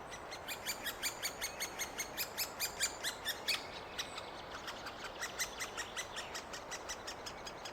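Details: Great spotted woodpeckers near the end of three weeks of feeding their young, which are almost ready to fledge; short sharp notes repeat in a steady rhythm of about three per second over a constant hiss of background noise.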